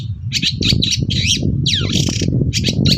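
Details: Long-tailed shrike singing hard in the morning to make other shrikes answer: dense buzzy chatter with a long descending whistled slur midway, continuous and scratchy, over low rumbling noise.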